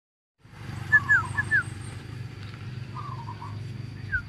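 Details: A young male bar-winged prinia learning to sing gives a few quick, sharp chirping notes in short bursts, over a steady thin whine and low traffic rumble.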